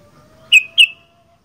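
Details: Sooty-headed bulbul in loud 'gacor fighter' style: two quick, sharp, ringing whistled notes in succession, with a faint steady lower tone behind them.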